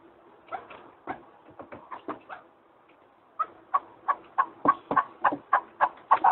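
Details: Partridge from Arguvan, Turkey: soft, scattered clucks, a short quiet gap, then a louder, regular run of harsh chuck notes about three per second.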